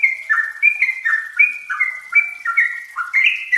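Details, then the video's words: Yellow-vented bulbul (trucukan) singing as a lure for untrained birds: slightly slower, slurred notes that drop then jump back up in pitch, repeated in a chattering stream for under four seconds, with no other sounds. "Pancingan TRUCUKAN BAHAN agar cepat bunyi dan gacor"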